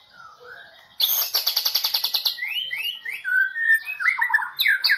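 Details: White-rumped shama of the Medan type, a national champion competition bird from the 2018 President Cup event, in full 'tembakan' song: a fast rattling burst of about fifteen harsh repeated notes, then a run of rising whistled slurs and varied sweet phrases.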